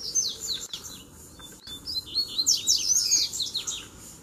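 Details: Wild double-collared seedeaters, three arriving at once to fight a caged lure bird. Sweet high twittering song, quick falling whistles in dense runs that build louder toward the end, with two dull knocks.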